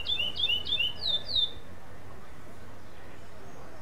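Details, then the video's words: A black chestnut-bellied seed finch (curió), second place at a FEBRAPS competition stage in Limeira, sings without repetition: a quick run of about eight clear, high whistled notes over a second and a half, then quiet background hum. "Canto de Curió preto - SEM Repetição"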